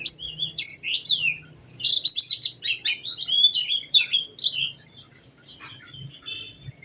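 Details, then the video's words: Oriental white-eye lure song, lively and specially phrased, played to get other white-eyes singing: under five seconds of thin, high twittering notes, then near silence with only a few faint chirps. "Pancingan Burung Pleci Gacor Cengkok Istimewa"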